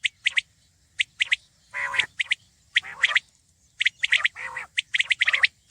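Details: Common quail, locally called batair, calling: sharp, clear high notes in quick groups of two or three, repeated through the recording, with rougher, buzzy broadband bursts between the groups.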